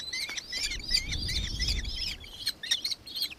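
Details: Nankeen kestrel in Victoria, Australia, 4 December 2024, giving rapid high-pitched notes with strong overtones, with a low rumble of background noise in the middle.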